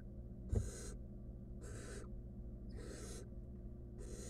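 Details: Wild barn owl nestling in a monitored nest box, trying to eat a stolen rodent alone, gives harsh, breathy hissing bursts about half a second long, repeated roughly every second, with one soft thump near the start.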